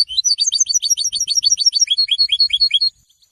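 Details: European goldfinch singing after its moult, a fast run of high, sharp twittering notes repeated about three times a second, each note a quick downward slur, steady for nearly three seconds.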